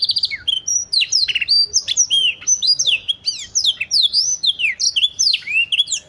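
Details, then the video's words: Canary singing in a cengkok mantap style: a fast, continuous stream of high, bright chirps, trills and downslurred whistles, with rapid phrases tumbling one after another and no other sounds. "BURUNG KENARI CENGKOK MANTAP"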